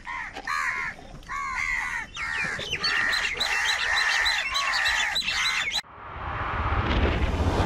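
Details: Crows fighting for food, said to call in anger and for food: rapid, overlapping harsh caws run together for about six seconds, then a sudden burst of broad rushing noise ends the calling.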